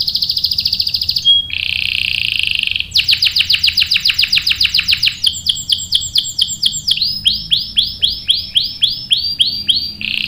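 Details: Canary (Serinus canaria), song used to prompt other canaries to sing: a long, rapid song of high trills and rolled phrases, shifting through rapid chirp series and sweeping repeated notes.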